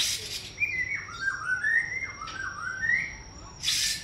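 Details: White-rumped shama giving a quiet song of slurred whistled notes that rise and fall in short phrases, with brief rustling noise bursts at the start and end and a faint steady high tone throughout.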